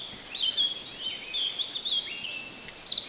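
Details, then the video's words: Thrush nightingale singing unseen in bushes beside a road in the Chornobyl Exclusion Zone, Ukraine, 2020, recorded at close range; a short run of high sharp whistled and twittering notes, ending in a bright sudden chip. "Nightingale sings in the bushes!"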